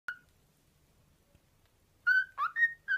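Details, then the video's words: Pet male cockatiel whistling The Archers theme tune, a tune he has taken a liking to: one short whistled note, a pause, then four clear whistled notes with a rising slur, not always on the right notes. "Archer sings 'The Archers'"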